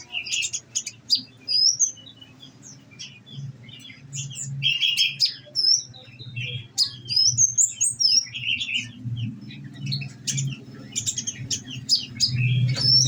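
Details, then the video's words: Olive-backed sunbird kept caged and fed nectar, singing in scattered bursts of high, sharp chirps, squeaky upslurred whistles and brief twitters, over a constant low hum. "Enaknya ngerawat konin !!! tinggal dikasih makan !!! bunyi nembak nembak deh"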